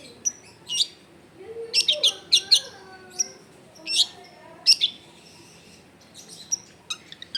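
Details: Long-tailed shrike singing a lively, varied 'full isian' song recorded at a home in a densely populated area: short bright chirps and sharp high notes in scattered bursts, separated by brief pauses, with a faint low hum beneath.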